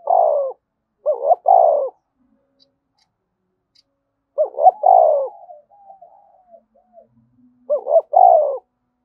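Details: Spotted dove cooing hard in the 'thúc bổi' manner used to prompt other doves: repeated phrases of a quick upward pair and a longer sinking hoot, one followed by a string of soft trailing notes.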